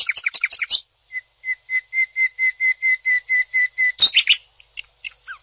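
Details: Greater green leafbird, presented as a national champion singer, giving a burst of fast harsh chirps, then a series of clear whistled notes repeated about four times a second, ending in a loud harsh rising note and scattered chips.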